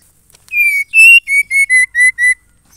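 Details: Female white-rumped shama (murai batu) calling to a male: two longer clear whistles followed by five short, evenly spaced whistled notes on a slightly lower, level pitch, all within two seconds, against a quiet background.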